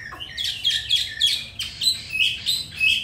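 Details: Pure-bred caged Hwamei from Hanoi, Vietnam, said to sing very well in forest style: bright chattering whistled phrases pulse out in bursts about twice each second.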